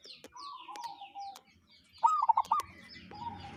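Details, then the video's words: Local wild zebra dove giving an unusual call: one short burst of quick, rolling, mid-pitched cooing notes, with fainter descending high chirps from other birds and a steady flat whistle in the background. "Perkutut lokal suara aneh"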